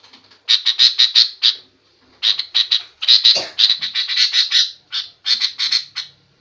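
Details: Sooty-headed bulbul calls described as provoking aggressive answers from any bird; harsh notes come in quick bursts of four to eight, separated by brief pauses.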